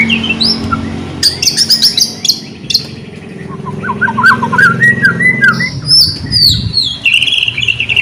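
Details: White-rumped shama in full song, used as a lure to coax reluctant shamas into singing: loud varied whistles, rising and falling slurs and sharp high notes, with rapid ringing phrases in the second half.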